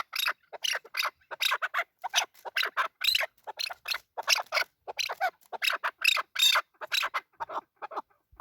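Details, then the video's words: Male chukar partridge uttering a string of rasping, scratchy notes in irregular clusters, with a brief quiet spell near the end. "Male chakor voice"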